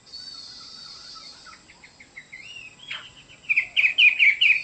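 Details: Chinese hwamei singing: soft varied warbles give way to rising slurred whistles, then loud, rapid, repeated sharp notes near the end.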